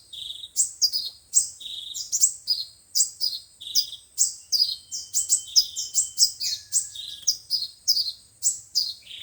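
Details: Five-colour and seven-colour sunbird song used to lure birds into traps via loudspeaker: a steady series of high upslurred chirps mixed with lower squeaky notes and brief thin whistles.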